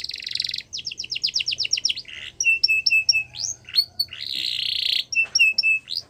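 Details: Yorkshire canary training song for young canaries: harsh buzzy rattle, fast falling whistles, then varied clipped chirps, rising notes and another long buzzy roll, with low background hum.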